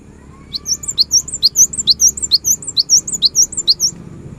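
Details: Cinereous tit singing a rapid run of high, looped whistled notes, evenly repeated for about three and a half seconds over soft background noise; played to get silent birds singing.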